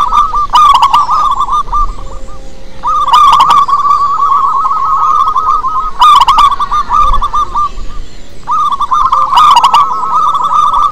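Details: Wild local zebra dove singing to lure others: long phrases of rapid trilled coos separated by short silences. Loud clicking bursts punctuate the run roughly every three seconds.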